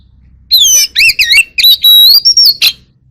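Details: A White-rumped shama sings loudly in forest style to gather its flock, its song a mix of clear, bending whistles with strong overtones, warbled slurs, a long flat tone and a final harsh burst.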